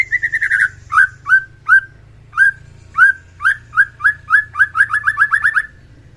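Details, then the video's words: White-rumped shama song in the morning to raise fighting spirit: an opening warble, then a string of short whistled notes that quickens into a rapid repeated run, over a faint low hum. "OCEHAN MURAI BATU PASTOL AGAR MENAIKAN EMOAI DIPAGI HARI, MENAIKAN FIGHTER BURUNG MURAI"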